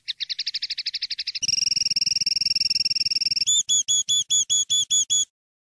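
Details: Linnet song in field style for educating young birds: a fast buzzy trill, then a long even rattle of clipped notes, ending in seven ringing whistled notes at a slower, steady pace.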